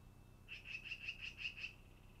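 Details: Long-eared owl at its nest, 10 August 2018, early afternoon; seven high, thin squeaky notes in a fast even series, with a low constant hum beneath.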